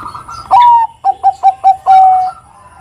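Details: Zebra dove, Bangkok type, whose ngerot kuwor kuwor song prompts other doves to sing: a loud rising opening coo, four short evenly spaced coos, then a long level final coo in a quiet setting.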